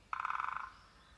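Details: Great spotted woodpecker tapping on a nest box: a rapid burst of about ten taps in half a second, giving a hollow, resonant, ringing tone that fades quickly. The surroundings are otherwise quiet.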